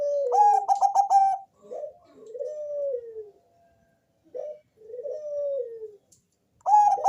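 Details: Zebra dove, Bangkok type, deep and full-voiced, singing to draw other doves into song: bursts of rapid staccato coos alternate with long, drawn-out coos that slide downward, with brief pauses between phrases.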